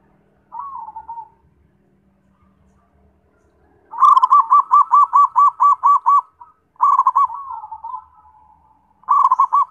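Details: Zebra dove singing: a short slurred note, then a long run of about ten quick rhythmic, rolling coos, another drawn-out phrase, and a fresh burst of coos at the end, all fairly high for a dove.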